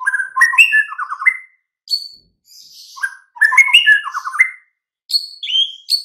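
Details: White-rumped shama song used to get mute, sluggish birds singing at once: rich whistled phrases with quick descending trills, repeated twice with short gaps and sharp high notes in between.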